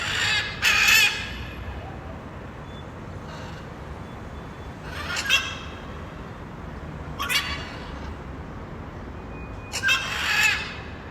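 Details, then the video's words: Wild blue-and-yellow macaw, called arara canindé, screaming in nature: harsh, raspy broadband screams at irregular intervals, about four bursts in eleven seconds, some fainter and more distant, over a steady low background hiss. "Canto de Arara, Arara Gritando, Som de Araras | Arara Canindé"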